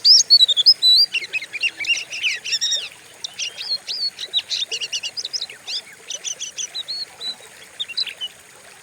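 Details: Training recording of a white-rumped shama, meant to stimulate other songbirds: a few loud rising whistles at the start, then a quick string of dry chattering and ticking notes that fades toward the end.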